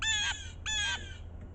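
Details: Blue jay scolding in snow during a winter storm: two drawn-out, harsh nasal jeers, each falling slightly at the end, with a steady low drone behind.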